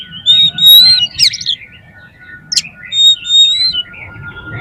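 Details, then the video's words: Oriental magpie-robin lure song that prompts rival magpie-robins to sing. Loud, clear drawn-out whistles repeat between short buzzy notes, over a steady faint background hum. "PANCINGAN KACER BOCOR ALUS ‼️ NGEPLONG BIKIN GAIRAH KACER LAIN CEPAT BONGKAR ISIAN"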